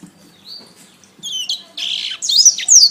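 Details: Canary masteran song: a thin rising whistle, then louder buzzy rattling notes and bright high slurred whistles building toward the end.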